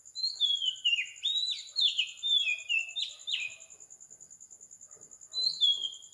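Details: Morning song of an Oriental magpie-robin recorded at 4 am in tropical Sri Lanka; a run of clear falling whistles and short slurred notes, pausing before a final phrase, with an even insect trill throughout.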